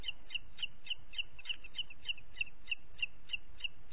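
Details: Booted eagle, Parc Natural dels Ports, 27 June 2021 at 09:06: a steady series of about thirteen high, sharp, evenly spaced notes over four seconds, over faint low rumble.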